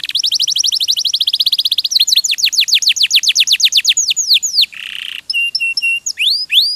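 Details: Canary singing in a masteran tutoring recording. Rapid repeated high whistles become deeper downslurred notes, then a harsh buzz, clipped repeated notes and swooping whistles.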